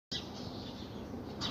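Budgerigar giving two brief, harsh, scratchy squawks, one at the start and one at the end, with a steady hiss of background noise between them.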